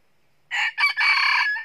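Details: A wild red junglefowl rooster, one of two loud-crowing roosters that then fight during trapping, gives a single hoarse, shortened crow broken into three quick phrases over about a second, with quiet all around.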